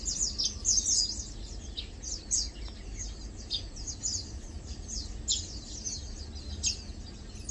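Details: Lowland White-eyes chilling, feeding and preening: thin, high chirps and short twittering notes from several birds, scattered irregularly, denser in the first second, over a low rumbling background.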